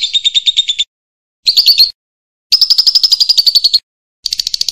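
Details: Champion lovebird, a loud, pleasant singer used as a model for training other birds: shrill chattering trills in four bursts separated by short pauses, each a rapid string of high, buzzy notes.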